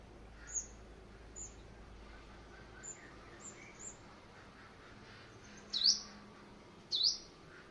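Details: White-bellied five-coloured sunbird kept as a decoy bird in Quảng Ngãi, Vietnam, out for morning exercise on 21 May 2020: faint high chirps, then two sharp, loud, high-pitched chip notes about a second apart near the end.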